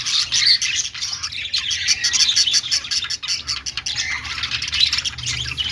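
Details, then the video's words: A flock of budgies giving happy chirps: a steady, dense stream of high twittering and scratchy warbled notes with no pauses, bright and chattering throughout. "cute budgies making happy sound"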